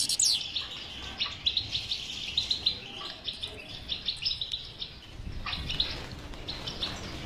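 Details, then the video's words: European goldfinch batbata song for encouraging a non-singing goldfinch: a high sweeping note opens, then a run of regularly spaced bright chirps against steady background hiss. "اذا لديك مشكله في حسونك انو لا يغرد لا تخاف هذه البتبته الحل وعلاج الحسون الصامت بتبته اجرام"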